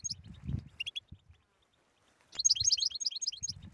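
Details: European goldfinch singing in the 'batbata' style, used to coax silent goldfinches into song: a brief high twittering run, a few sharp chirps and a pause, over dull low thumps.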